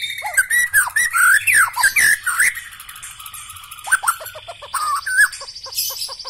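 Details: Black-legged white-rumped shama song mixing looping whistles, harsh rattles and squawky notes. Then come a steady, thin held tone and short, rapid piping notes near the end.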